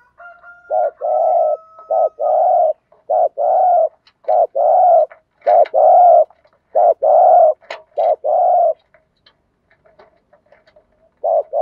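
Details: Decoy spotted dove cooing in the 'thúc gù' urging style to draw in wild doves: a rapid run of low paired coos, short note then long throaty note, repeated about every second, faint whistle at the start.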